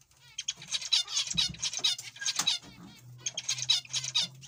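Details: Zebra finches calling in a group: rapid, nasal, buzzy beeps with stacked overtones, overlapping about twice a second, with brief quiet gaps and a steady low hum underneath.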